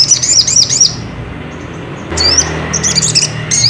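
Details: Ruby-cheeked sunbird song played to provoke another bird into singing: quick high tumbling twittered phrases, a short pause with faint thin notes, then more sharp rising and falling twitters over low rumbling background.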